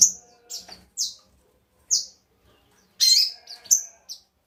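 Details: Sogon song used as a lure to provoke other birds into singing: short, very high, sharp chirps in separate bursts about half a second apart, with a denser cluster of rapid notes near the end.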